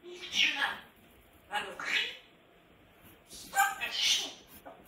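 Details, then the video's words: Pet Grey parrot, said by its owner to be screaming: three rough, grating squawks at irregular intervals, each harsh and noisy, with faint hiss between them. "Mon gris du GABON crie"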